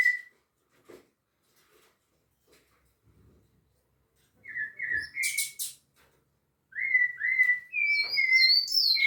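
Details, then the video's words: Near-silence with a few soft clicks gives way to a rufous-bellied thrush at Piedade delivering short, clear whistled phrases, alternating with brief higher chirps from another bird. "SABIÁ LARANJEIRA canto"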